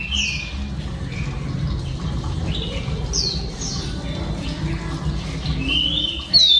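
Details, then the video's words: Female oriental magpie-robin song meant to stimulate males: scattered short whistled slurs and a few drawn-out rising notes, ending in a louder sharp burst, over a low constant hum. "Than mái hót kích trống P3 Oriental Magpie Robin Female"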